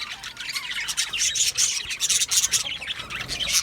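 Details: Several budgerigars chirping together: a dense, continuous stream of high, scratchy warbles and short squawks, overlapping without pause.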